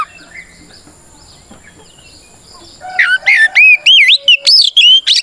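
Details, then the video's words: Oriental magpie-robin singing a challenging fight song meant to stir rival birds into answering: three seconds of quiet, then a fast run of loud, looping whistled notes that rise and fall. "Suara Burung kacer gacor NGEPLONG tarung ini paling ampuh buat PANCINGAN KACER agar EMOSI Nyaut"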